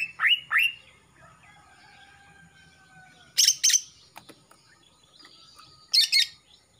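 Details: Greater green leafbird, a young Kalimantan male just past the mottled stage with a black fore-neck coming in, sings two rising whistles, then harsh buzzy double bursts separated by a soft drawn-out whistle and a sharp click.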